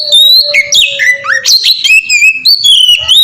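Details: Oriental magpie-robin singing loudly and sweetly, used as a lure to make other magpie-robins sing: rapid varied whistles sliding up and down, sharp rising and falling notes with a steady low whistled tone underneath in the first half.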